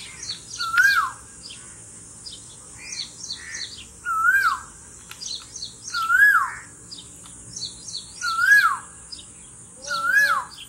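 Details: A cuckoo, female, singing: a clear rising-and-falling whistled phrase repeated about every two seconds, over a steady high insect hiss and faint chirps of other birds.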